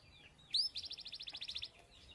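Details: Canary singing in the morning: a sharp rising whistle, then a fast even trill of bright, high notes, about a dozen per second, lasting roughly one second before fading into quiet background chatter.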